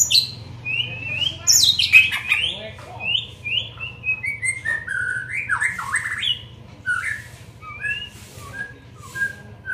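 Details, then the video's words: A young white-rumped shama in training pours out rapid whistled notes: rising and falling slurs strung quickly together, loudest early, then softer, sparser phrases, with a low steady hum beneath. "Melatih Mental Murai muda"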